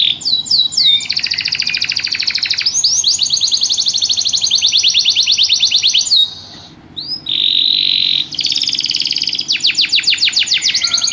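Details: Canary singing a long, rhythmic song of fast repeated high trills and rolling notes, a brief pause, then a sustained whistle and more rapid trilled phrases over a faint low hum.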